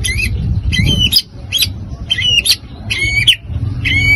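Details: White-rumped shama singing to provoke other birds: short bursts of sharp, metallic, whistled notes with shrill high overtones, repeated roughly every half second, over a steady low rumbling background.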